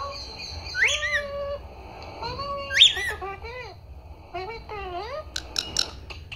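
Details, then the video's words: Parrot voicing "Papa" and "Mummy": drawn-out nasal syllables with rising starts and a loud whistled peak, then a fast series of descending chattering notes and crisp clicks. "mitthu talking Mummy Papa"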